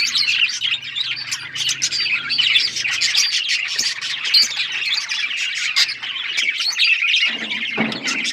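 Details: Dense chirping from many budgies, quick high tweets and warbles running together continuously, with a low hum underneath at the start and a short burst of noise near the end.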